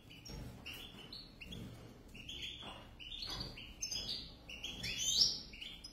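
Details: European goldfinch pair: lively tinkling twitters, clipped notes joined into rapid phrases, ending with a louder, sharper burst near the close; faint low hum underneath.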